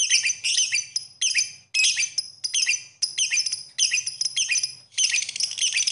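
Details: A lovebird in a tutor recording gives short bursts of squeaky, high chattering, each burst about half a second long separated by brief silences, ending in a longer run of chatter.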